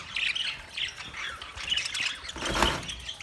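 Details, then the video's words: Budgerigar chatter recorded 13 March 2024: busy overlapping chirps and warbles from several birds, with a brief louder rustling burst near the end. "Beautiful Australian Parrot sounds Budgie Sound"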